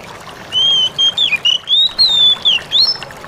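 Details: Oriental magpie-robin in the "ngalas" song style, meant to make other magpie-robins respond; bright whistles begin with a long held note, followed by short rising and falling slurs, about ten notes in 2.5 seconds over low background hiss.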